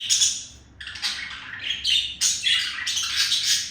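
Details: Male budgerigar courting a female indoors, a pet pair; a dense chattering warble of scratchy, buzzy squawks and chirps in bursts, with short pauses between phrases.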